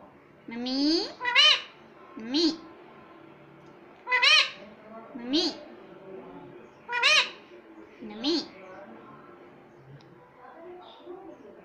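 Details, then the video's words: Talking rose-ringed parakeet repeating "Mummy": short, harmonic, rising-falling syllables roughly every one to two seconds, several clearly spaced utterances, with faint music underneath. "Mitthu Mummy Papa Bolega"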